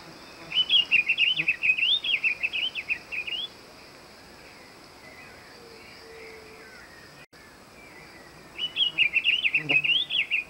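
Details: Diademed tanager (Stephanophorus diadematus), song.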